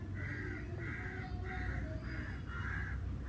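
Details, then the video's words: Crow calling on a summer day, a steady series of harsh caws about every half second, six in a row, over a constant low rumble of background noise. "sounds of the Crow"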